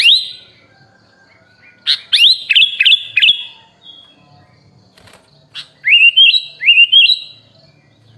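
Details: Masteran tutor track of a sooty-headed bulbul packed with fill-in phrases: a burst of sharp upslurred whistles after a quiet start, then silence, then two rising liquid warbles near the end.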